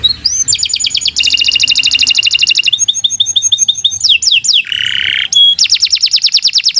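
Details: Canary singing as a master for other birds, running through quick successive tours: rapid rattling trills, rolling phrases, brief rising whistles, a buzzy low burst, a clear ringing note and a closing fast trill.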